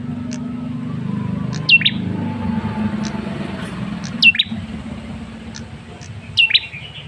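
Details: Quiet lure call of a male red-headed tailorbird, used to prompt a response: three short high downslurred whistles spaced a few seconds apart, over steady low background noise.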